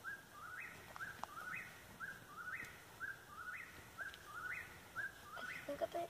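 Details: An Eastern whip-poor-will calls close by, repeating a clear three-note whistle that climbs at the end, about one phrase per second, against faint background noise and occasional clicks.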